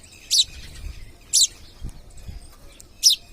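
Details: Three loud, harsh, shrill screeches about a second apart come from wild parrots that have come to a home, with faint low knocks in between.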